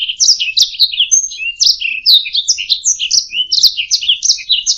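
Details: Singing canary used as a training recording for other birds: a lively stream of quick slurred chirps and downward sweeps, a thin whistle early on, rhythmic bursts throughout, quiet background.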